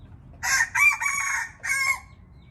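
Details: Indian red junglefowl crowing: one loud, harsh, brassy crow broken into three quick bursts and ending with a short, separate final note. Background is quiet.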